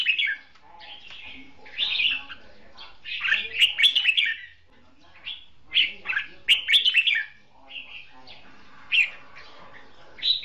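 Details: Red-whiskered bulbul serving as a decoy in a trap duel, delivering vigorous dueling song in bursts of rich, chattering whistled phrases separated by brief pauses. Sharp accented notes come through, along with faint clicks and some background noise.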